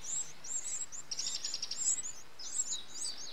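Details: Eurasian wren nestlings being fed by an adult on 8 June 2013 give very high, thin squeaky chirps in fast, overlapping bursts, swelling to an excited chorus midway, over faint background noise.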